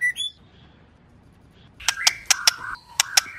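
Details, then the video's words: Female white-rumped shama, a caged bird whose voice is used to stimulate males into singing; a brief whistled note, a pause, then a burst of sharp clicking ticks mixed with short whistles. "Tiếng Chòe Lửa Mái kích trống căng lửa/ bổi nghe là hót ngay/chòe lửa mái kích trống"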